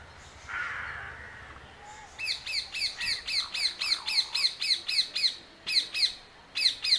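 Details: Bird in jungle near Coimbatore calling a rapid series of sharp, high, buzzy squawks, about four per second and then in short bursts, after a softer rough note at the start.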